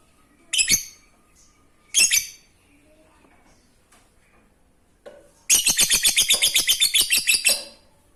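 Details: Lovebird in the fine, rapid 'ngekek receh' song style, used to prompt silent lovebirds: two sharp high chirps, then a two-second burst of fast, even, scratchy chattering notes.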